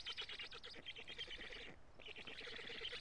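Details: Black storks on their nest in Karula, Estonia, 25 June 2017, 16:24, a parent delivering food, captured by a live nest camera: fast buzzing, rattly wheezes, with a brief pause midway before the calling resumes.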